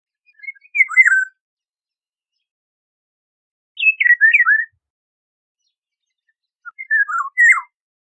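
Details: Eurasian golden oriole giving three short, liquid fluting phrases of rolling, yodel-like whistled notes spaced about three seconds apart, with silence between them.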